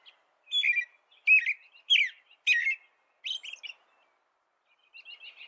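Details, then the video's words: Song of a European robin: several separate squeaky, warbling phrases in quick succession, then a short gap and a softer, fainter trailing phrase. "Canto Robin"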